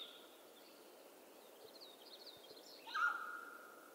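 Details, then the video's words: Mountain quail, western North America: after a stretch of soft, high songbird twittering, one loud call bursts in near the end, a strong onset held as a steady, drawn-out tone. "Mountain Quail Call"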